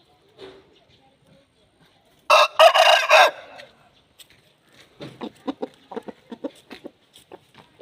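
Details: An Aseel rooster crows for a hen: a loud, rough, pulsing crow of about one second, then a string of quick, short clucks repeated several times a second. Near silence comes before and between.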